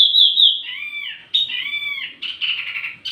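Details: Wambi mini singing for lure and tutor use: clear whistled phrases with trailing slurred notes, then a slightly rough, rolling warble.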